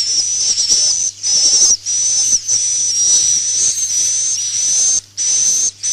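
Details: Swiftlet roosting call, played as a lure for nest houses: long, nearly unbroken high sizzling buzz with a wavering whistled line, broken only by a few short pauses, with a faint low hum.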